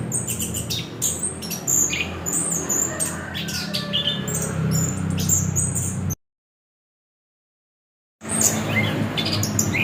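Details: Orange-headed thrush pouring out fast, high-pitched chirps and squeaks in irregular bursts over a low hum, broken by a sudden gap of silence before the notes resume.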